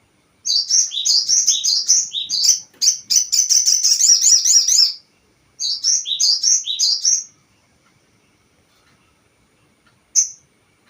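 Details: Crested jay lure call used to provoke other birds: bursts of rapid, high, downslurred chattering notes in three runs separated by short gaps, ending with one isolated high note after a silence.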